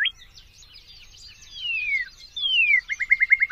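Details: Northern cardinal song phrase: two long, smoothly descending whistles over soft scratchy twittering, ending in a rapid run of short, bright, evenly repeated notes.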